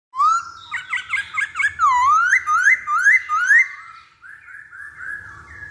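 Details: Masked laughingthrush song used as a lure to make other birds sing: loud clear whistles rising and falling, a quick run of bouncing notes, then four upslurred whistles in a row, fading to softer notes.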